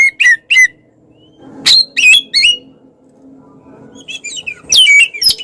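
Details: Oriental magpie-robin (kacer) singing vigorously to provoke rivals: a few sharp whistled notes, a pause over a low background hum, then a renewed burst of fast, bright chirping whistles.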